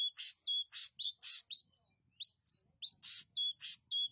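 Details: Oriental magpie-robin (Copsychus saularis) from Nagan Raya, Aceh, sings a fast run of high whistled notes mixed with harsh, scratchy bursts, about two or three notes per second, over a faint low rumble.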